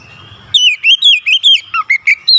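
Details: Singing oriental magpie-robin, played to provoke a lazy bird into song: a burst of loud, clear whistled notes, slurred up and down and repeated in quick succession, following a faint low murmur at the start.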